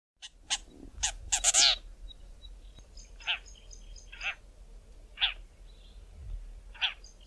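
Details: Southern Tchagra in thick bush in southern Africa giving harsh, rasping 'tcha' notes about a second apart, with odd higher whistled notes between, probably from a territorial battle.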